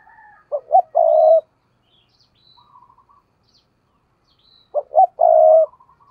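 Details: Spotted dove decoy bird in intense thúc gù cooing. Two identical loud phrases about four seconds apart, each two brief notes then a long rolling coo, with quiet buzzy coos in between.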